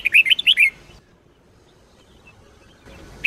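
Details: Red-whiskered bulbul singing a Sông Kôn style song for daily training of bulbuls: an opening phrase of six quick warbled whistles, a long pause, then the start of another phrase.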